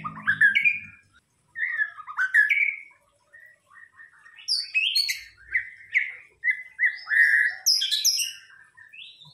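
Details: Lure song (pancingan) of a White-rumped shama, or murai batu: melodious slurred whistles in short phrases separated by brief pauses. A faint low rumble opens the recording, and sharp high notes come in later.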